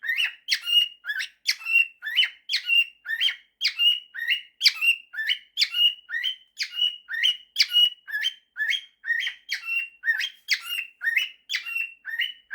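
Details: A male cockatiel whistles a learned mashup of the songs 'September' and 'If You're Happy and You Know It' in bright, rhythmic notes, about one phrase each second.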